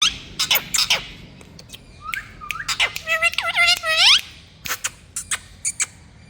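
Rose-ringed parakeet giving sharp, harsh screeches in irregular bursts, with a run of rising, whistled, chattering notes in the middle; no other clear sounds.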